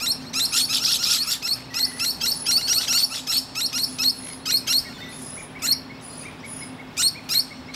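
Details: Musk lorikeet resting in a tree and chatting to other birds; dense, fast bursts of shrill screechy chatter that thin into spaced sharp chips, over a low steady hum.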